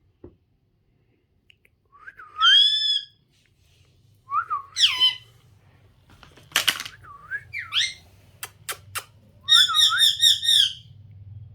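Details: Pet parrot talking in Hindi, saying "mitthu" and "mitthu choori khani hai": five short, squeaky, high-pitched speech-like phrases with a few sharp clicks between them over a faint low hum.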